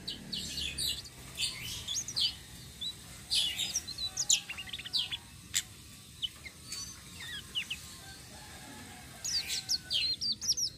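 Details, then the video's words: Flowerpecker singing in a rolling style, used to lure other birds: scattered high thin chirps and short twittering bursts in irregular groups, with a faint steady hum beneath. "BURUNG TLEDEKAN SITRUN SELENDANG BIRU NGEROLL||BISA BUAT PANCINGAN"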